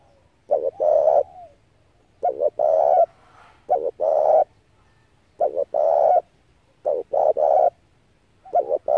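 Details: Spotted dove cooing, a decoy bird's call used to excite and draw in wild doves for trapping: six phrases of two short clipped coos and a longer rolling coo, each repeated about every one and a half seconds, clear and close.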